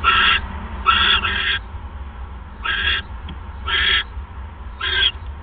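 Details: Owl calling at the nest as prey, a mouse, is delivered on the evening of 1 January 2015. Hoarse hissing screeches come in uneven bursts, including one longer doubled burst, followed by a quieter gap and three more screeches.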